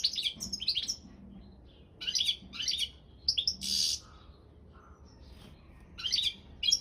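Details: Balkan European goldfinch (Carduelis carduelis balcanica) singing for an internet goldfinch song championship: scattered short bursts of bright twittering, one harsh buzzy rasp in the middle, with brief quiet gaps between phrases.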